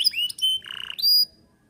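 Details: A canary sings a varied phrase: a rising whistle, a steady pure note, a low rattling trill, then a bright high whistle fading into quiet.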